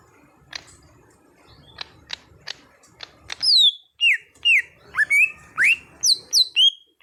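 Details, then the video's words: Raw greater green leafbird being trained into full song: soft clicks at first, then loud pure whistles that sweep down steeply or rise sharply, repeated about twice a second. "Cucak Hijau Bahan jadi Gacor"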